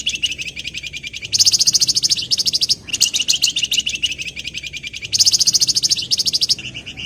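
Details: Javan wergan singing to call rivals, used as a lure: continuous rapid high chirping trill, buzzy and rattling, with intermittent louder bright stretches and brief pauses; low background hum.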